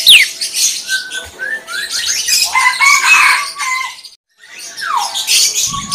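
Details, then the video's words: Greater green leafbird song in 'tembakan' style: a high descending whistle, busy chattering and short rising notes, a brief pause, then a long falling whistled slur. "BURUNG CUCAK IJO CEPAT GACOR SUARA TEMBAKAN"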